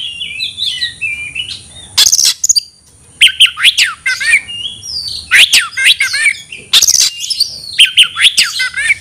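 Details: A white-rumped shama shouting to challenge a rival to fight, delivering varied whistled phrases broken by loud harsh rasping bursts and rapid up-and-down slurred notes, repeated in several bouts.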